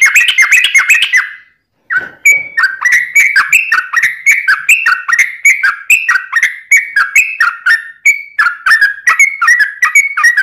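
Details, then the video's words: Yellow-vented bulbul in long 'ropelan' song without pauses, used as tutor song and to lure wild birds: a fast chattering opening, a short break, then a steady run of bright bubbly notes repeated several times per second. "Kicau Trucuk Ropelan Panjang Ngelituk Tanpa jeda"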